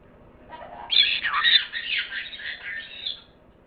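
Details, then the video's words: Parrot producing a soft low note that breaks into a long noisy, rasping squawk, wavering and fading over about three seconds. "пение попугая"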